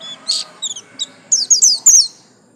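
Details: White-eye of the 'buxtomi' type with a yellow stripe. A few scattered high chips build into a quick run of sharp downslurred twittering notes near the end.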